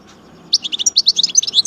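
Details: European goldfinch of the major type from Algeria twittering rapidly: a steady run of high, clipped, liquid notes, roughly eight per second, over a faint low hum.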